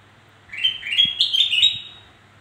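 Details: Lively black-crested bulbul phrase, a quick run of liquid, rising whistled notes lasting under two seconds, used to lure other birds that are slow to sing; low hum and soft taps underneath.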